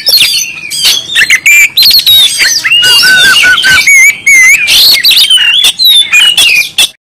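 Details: Persistent, loud singing by an Oriental magpie-robin of Kalimantan origin: clear slurred whistles alternating with scratchy chatters and quick high chirps, delivered nonstop with only brief gaps.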